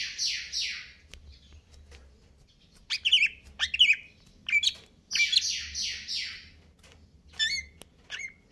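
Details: Greater green leafbird in stable condition delivering a 'konslet kejer nembak' style song: harsh buzzy rasps alternating with sharp, bright downslurred whistles and chattering notes, roughly ninety phrases a minute.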